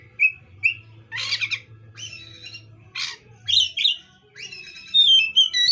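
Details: Oriental magpie-robin delivering two clear whistles, then harsh raspy bursts and bright sliding whistled notes, over a low droning hum that stops partway through.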